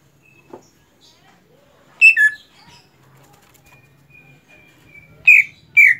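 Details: A captive greater green leafbird in song training gives three loud, harsh chirps a few seconds apart, with a thin, steady high whistle between them and faint low background hum.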